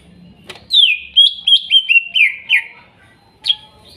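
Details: Young greater green leafbird from the wild in Kuningan, sung for a bird that stopped singing: a quick rippling series of about seven descending whistled notes, then one sharp chirp after a short gap.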